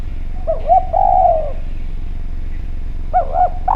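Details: Clear, active call of a Javanese spotted dove used to lure others into calling: doubled short coos and a long falling coo, a pause, then another pair of short coos beginning.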